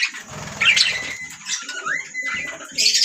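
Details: A group of budgies warbling in scratchy, busy phrases, broken by a few clean whistled notes that slide up or hold steady between the bursts of chatter.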